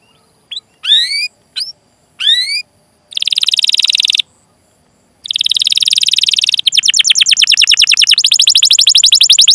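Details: Canary rolling 'cuit cuit' song used to coax untrained or silent canaries into singing: a few sharp rising chirps, then long buzzing trills, building into a rapid continuous rattling roll.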